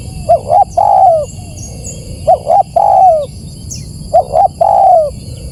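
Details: Lure recording of a spotted dove cooing three times, about every two seconds. Each phrase has two quick stuttered notes followed by a long, slurred, downward coo. Faint high chirps from other small birds and a constant thin electronic whine sit in the background.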